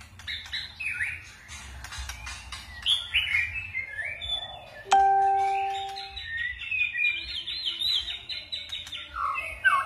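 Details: White-rumped shama singing 'forest voice' with voice switching; scratchy chips and whistled phrases, interrupted midway by a ringing chime, then a long run of quick high warbling notes.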